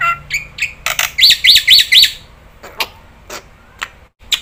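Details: Black-winged starling calling to set other starlings off: scattered harsh squawks and chirps, a quick run of four rising-falling whistled notes, then sparse short chirps with pauses.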